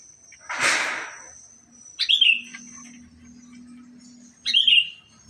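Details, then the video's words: Male black-capped lory: one loud, raspy screech, then two brief, bright whistled notes that slur downward, spaced roughly two and a half seconds apart, with a faint low hum behind. "Nuri kepala hitam jantan"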